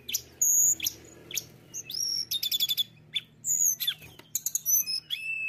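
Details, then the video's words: Mountain tailorbird singing vigorously, said to provoke rival birds into song: high, thin whistles and quick sharp chips in short bursts, some notes rising or stuttered, with a faint low hum behind. "TLEDEKAN GUNUNG GACOR"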